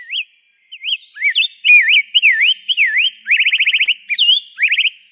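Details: Rose-breasted grosbeak song: sweet, robin-like warbled whistles rising and falling in quick looping phrases, with a fast run of about ten rapid repeated notes near the end, clear and without background noise.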